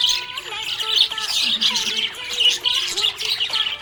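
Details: Budgerigar in a happy mood, giving rapid scratchy chirps and warbling chatter in repeated bursts, while a sustained musical accompaniment plays softly behind.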